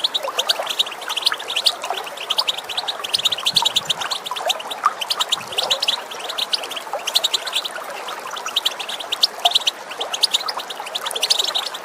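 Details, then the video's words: European goldfinch calls used to stimulate males to sing, recorded with running water. Dense, overlapping high chirps and twitters come in quick bursts throughout, over a steady wash of background noise. "بتبتة طائر الحسون تجعل الذكور تغرد غصبا عنهاLe bruit de l'eau courante et l'appel du chardonneret"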